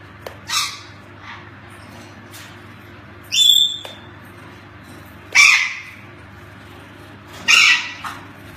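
A hyacinth macaw gives four loud, harsh, raspy squawks spaced about two seconds apart, over a faint low hum.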